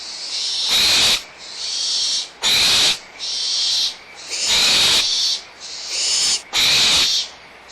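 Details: Young barn owls at Audubon Starr Ranch Sanctuary, recorded April 2011, squabbling over leftover food with their mother nearby: long, steady, breathy hissing screeches, broken by five louder, harsher rasping bursts, about one every one to two seconds.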